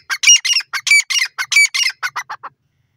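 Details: Calling pair of grey francolins, known as dakhni teetar: a rapid run of loud, grating notes that shorten and fade toward the end, about a dozen in two and a half seconds.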